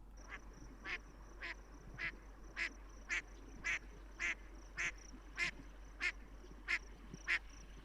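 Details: A female gadwall calling late at night in the breeding season, around Big Bear Lake, California, gives a run of about a dozen short, nasal quacks, evenly spaced nearly twice a second, over a faint steady high-pitched hiss.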